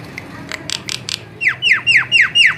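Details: Javan myna, song intended as a lure: a few harsh, scratchy notes open, then five loud whistled notes sliding steeply downward, evenly spaced about a quarter second apart.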